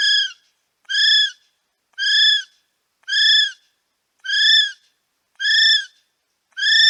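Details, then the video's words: A male kiwi calls at Paignton Zoo, giving a series of shrill, slightly arched whistles, each about half a second long and repeated roughly once a second. "Male Kiwi Calling"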